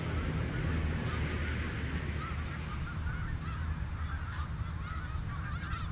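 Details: Snow geese massed on the Richelieu River give a continuous wash of honking calls, individual barking notes rising and falling within the crowd, low rumbling noise beneath.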